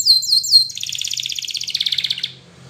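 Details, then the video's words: A canary, possibly a Spanish Timbrado training song, sings a few high, slurred whistles, then a fast, bright trill of rapidly repeated notes lasting about a second and a half, over a faint low hum. "Your Canary Will Not Stop Singing With This Training Song"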